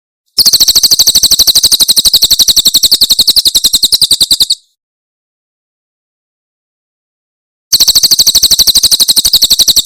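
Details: Javan prinia singing a Cililin-style 'tembakan' song, used for tutoring caged songbirds: a rapid, even burst of high, sharp chip notes at about four per second. The burst stops for several seconds, then the rapid notes resume. No other sounds.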